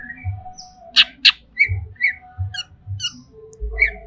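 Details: Greater green leafbird in a cage, agitated, giving sharp explosive chips and short squawky whistles at irregular intervals, with low thudding noises in between.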